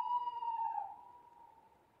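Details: An owl at night, possibly Tawny, Little or Scops owl, gives a single steady, whistled hoot held for almost a second, then fading slowly into quiet night air.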